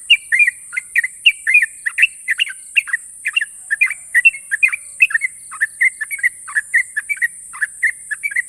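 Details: Long, sharp ropel trilling from a champion Sooty-headed bulbul, its dense string of clipped, bubbling notes pouring out nonstop and slightly lower toward the end, set against a continuous high electronic-sounding hiss.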